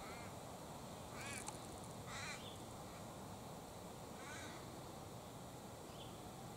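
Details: Sulphur-crested cockatoo perched high in a gum tree, crest ruffled by wind, giving harsh, raspy broadband screeches in short bursts, three or four calls spread over several seconds, over steady wind roar.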